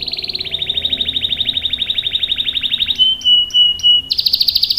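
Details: Rolling canary song for provoking and tutoring young canaries: a long steady trill, then three pure whistled notes, then a high buzzy trill.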